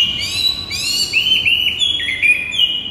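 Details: White-rumped shama morning training song used as lure, high clear whistles with rising and wavering slurs, one continuous bright phrase over three seconds with faint background hum.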